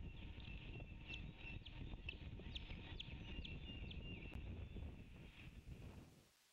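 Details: An osprey at a Savannah nest, in the morning amid an arrival, possible intruders and mating, gives a rapid string of high, sharp whistled chirps, two or three a second, over a steady low rumble of wind.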